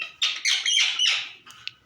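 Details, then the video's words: A pet ring-necked parrot that talks gives four harsh, grating squawks in quick succession over about a second, then a faint trailing chirp. "Natural parrot voice"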